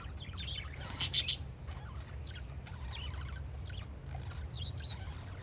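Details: Parakeets outside on a windy day keep up a busy stream of high, thin chirps and twitters, interrupted early by a brief loud clattering burst, with a low wind hum throughout.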